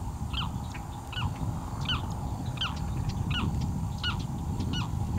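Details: In morning light, a bird a viewer identifies as a Boat-tailed Grackle gives about seven short, clipped, rising-then-falling notes, roughly one every three-quarters of a second, over a steady low rumble of wind or distant traffic.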